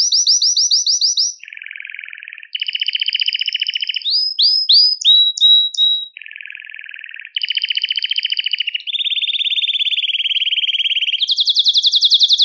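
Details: Belgian canary singing to stimulate males and bring females into breeding condition: varied rapid trills alternate with low buzzy rolls, a few sharp slurred whistles, and long high rattling tours, with abrupt changes between sections.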